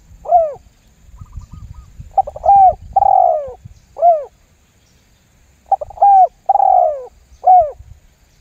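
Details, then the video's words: Spotted dove lure call meant to make other doves join in: rounded, hollow coos grouped in short phrases, with a brief pause and then the phrase repeated, each final note slurring downward. "SUARA PIKAT TERKUKUR LAMBUNG GUK MEMBUAT TEKUKUR LAIN IKUTAN GACOR"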